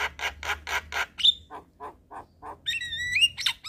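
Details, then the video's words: Evening master song of a Javan myna for young birds: five loud rasping squawks, a sharp whistle, softer chucks, then a long wavering whistled phrase and a final squawk. "Masteran Jalak Kebo Sore Hari Bikin Burung Jalak Muda Cepat Gacor"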